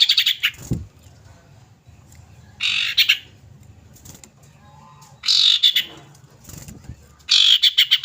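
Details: Female common iora calling a male, used as a lure to prompt other birds to sing: three harsh, buzzy chattering bursts with rapid pulsed notes, separated by pauses, plus a few low thuds.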